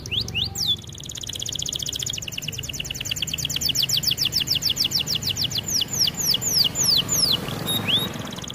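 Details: Canary singing for training: a long run of quick descending whistled notes repeated several times per second, with a brief rising slur near the end and faint low background hum.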